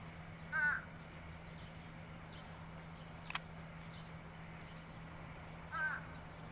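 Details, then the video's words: Fish crow in New Jersey bayshore and marsh country giving two short nasal caws about five seconds apart, with a faint click between them and a steady low hum beneath. "Fish crow"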